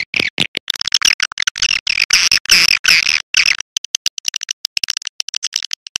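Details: Evening swiftlet call meant for testing how birds respond around their nest: a thick run of buzzy, high chattering twitters that breaks after a few seconds into sparser, separate clicking chirps.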